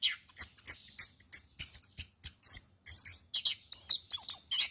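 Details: Award-winning caged orange-headed thrush delivering a rapid, dense stream of high chirps, squeaky whistles and looping slurred notes, nearly continuous and energetic.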